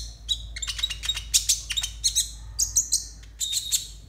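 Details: Konin singing as masteran material for young konin: rapid clusters of very high, bright chirps and trills, nearly continuous, with dense sharp notes and brief pauses between bursts, backed by faint low hum.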